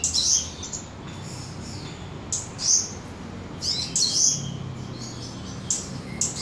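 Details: Cabai gunung recorded in Samarinda, Indonesia, uttering thin, very high chirps in brief spaced clusters, a few louder squeaky notes standing out above a quiet low background drone.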